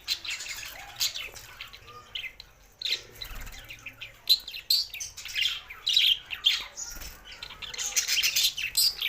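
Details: Singing budgerigars: irregular bursts of shrill, buzzy warbles and sharp chirps, several overlapping, growing louder and busier in the second half, with a faint soft thud in the background.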